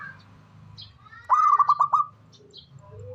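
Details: One brief stuttered coo phrase from a local zebra dove, five quick bubbling notes, set against a low droning hum and faint chirps of other birds.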